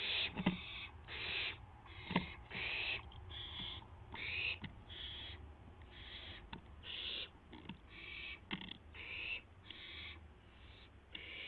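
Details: Owl at the nest shortly after midnight, April 12, 2016, during a mouse delivery: a long series of harsh, breathy hissing bursts, each under a second, repeated about every second, with occasional sharp taps and a low hum.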